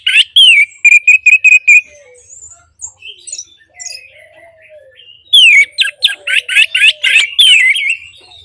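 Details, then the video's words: Orange-headed thrush song for stimulating silent birds: a whistled note repeated about six times in rapid even series, quiet soft whistles in between, then a long loud run of varied chattering, slurred notes. "Terapi Anis Merah Bisu | AM Macet Jadi Gacor Coba Di Putarkan Suara AM Ini"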